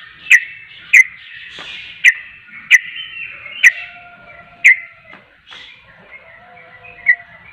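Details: Yellow-vented bulbul (trucuk) calling insistently, giving crisp single chips at uneven intervals of roughly a second, with a low steady tone and quieter fluting notes between them.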